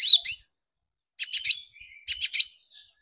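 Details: Long-tailed shrike singing, recorded as a lure to stir shrikes: short bursts of three or four quick scratchy high notes, each phrase trailing into a thin whistle.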